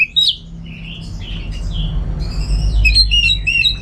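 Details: Captive Orange-headed thrush giving a loud opening whistle, then a run of slurred phrases and a final burst of high, stacked chirps, all over a steady low hum.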